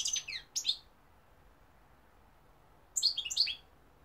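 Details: European goldfinch, known in Algeria as mqnin, giving two short bursts of bright, high twittering song separated by a long quiet gap of about two seconds.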